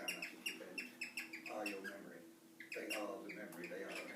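A cockatiel gives quick bursts of bright, bouncy chirps, with a low voice murmuring underneath.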